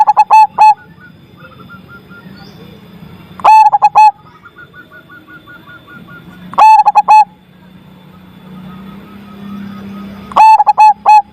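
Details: Zebra dove with a loud voice cooing its song: bursts of four or five rapid, rolling, clipped coos repeated every three to four seconds, with faint softer cooing notes and a low steady hum between bursts.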